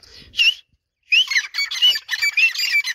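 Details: Grey francolins, two males and two females, exchanging calls at the sight of each other; a single sharp note, a brief silence, then a fast series of shrill, ringing, slightly rising notes.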